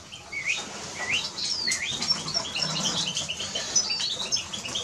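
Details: Eurasian siskin singing: several quick upward-sliding whistled notes early on, then a fast continuous chatter of high twitters to the end.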